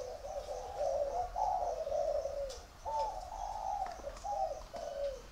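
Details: Spotted dove singing dây vàng style coos: mellow, low phrases of a few notes each, rising then falling, delivered in quick succession over light background hiss.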